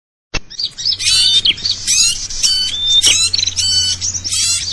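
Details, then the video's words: Noisy lure recording of small birds used to attract them for trapping: dense, high chattering and squawky chirps in overlapping bursts, with short thin whistles, over a faint low hum. "suara ribut pikat burcil"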